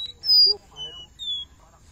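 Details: Captive Black-bellied seedeater in Recife, Brazil, eating estrelinha seeds on 30 July 2021, gives three thin, high whistled notes, each sliding slightly downward, about half a second apart over a faint low hum.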